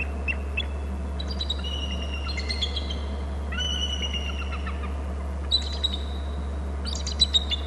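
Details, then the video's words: Eagle at a nest and territory on Hornby Island, calling as birds fly low inland: high, thin piping notes and short chittering runs in bursts, over a constant low machine hum. "em calling, eagle low flying right inland"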